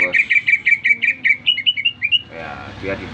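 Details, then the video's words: Newly bought greater green leafbird singing in response to whistling: a rapid run of about a dozen bright, chirping notes repeated several times a second, ending in a few higher slurred notes, followed by background noise. "Cucak Ijo Gacor baru beli kena siul langsung ngoceh"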